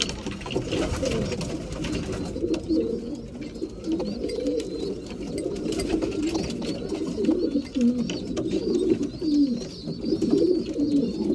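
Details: Breeding pigeons at mealtime, a loft full of overlapping low cooing, many birds calling at once, with faint high chirps and scattered clicks and taps throughout.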